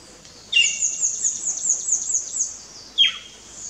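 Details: Pearly-eyed thrasher at Wallings Dam, Antigua: a harsh, scratchy series of rapid high notes lasting about two seconds, opened by a sharp falling note and followed by another downward-sliding call; quiet background.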